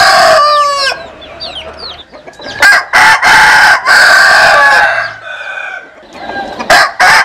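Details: Several roosters, Vietnamese or American Sil chickens, crow over one another in rich harmonic, strained phrases, with brief stuttering bursts and faint chirps from other birds.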